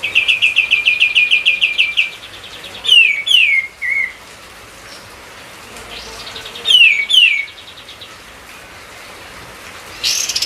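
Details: Opening with a quick run of repeated high chips, this white-eye, singing hard as a lure for other songbirds, follows with paired falling whistles, a pause, another pair, and a rising note at the end.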